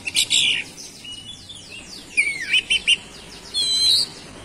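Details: Oriental magpie-robin song serving as a lure to provoke other magpie-robins: scratchy opening notes, faint downslurred whistles, a sweeping dip followed by three clipped notes, then a high sustained whistled phrase.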